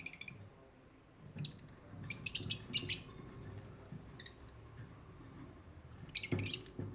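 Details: African lovebirds chirping: clusters of piercing, high, rapid chirps in quick bursts, separated by short pauses, with a faint low rumble underneath.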